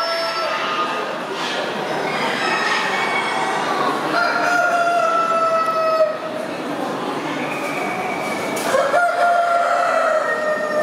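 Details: Several Leghorn chickens at Lysá nad Labem, Czech Republic, giving drawn-out, nasal calls that overlap and slide slightly in pitch, each held a second or more, over a steady background hum.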